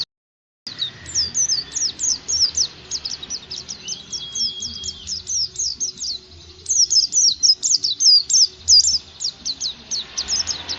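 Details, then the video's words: Oriental white-eye lure song for training birds to sing: a long unbroken stream of quick, very high, sharp twittering notes that grows louder after the middle, with a faint steady whistle partway through and a low background rumble. "Pancingan supaya pleci cepat gacor"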